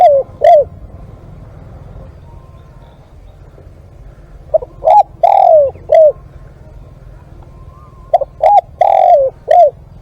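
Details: Nok khao yai, a dove, recorded live as a decoy caller: short, hollow, low coos in grouped phrases separated by pauses, with a steady low hum beneath.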